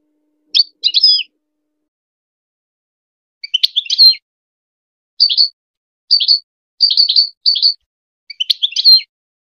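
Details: Goldfinch song for teaching hybrid chicks: scattered short bursts of high, liquid twitters and chips, separated by pauses of one to two seconds, seven or eight bursts over nine seconds, with clear quiet between.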